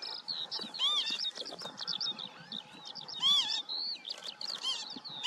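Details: Northern lapwing calling: nasal, arched, wheezy notes that rise and fall, heard a few times amid a busy mix of high twittering and chirping from other birds outdoors.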